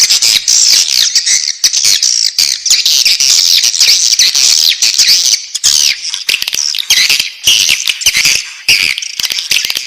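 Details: Swiftlet chicks calling inside the nest: a loud, dense chorus of high, harsh, squeaky chirps and buzzy notes, overlapping almost without pause, with brief gaps in the second half.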